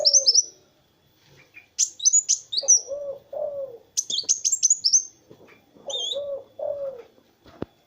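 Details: Kolibri wulung sunbird used as a tutoring master, singing energetically: high, thin squeaky twitters in short clusters, alternating with lower mellow whistled notes, then a sharp click at the end.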